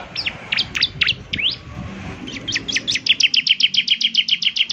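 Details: Lively bar-winged prinia song, the ciblek semi type said to prompt other birds to join in: a few loose, high sweeping notes, then a rapid evenly spaced train of sharp chirps about four per second.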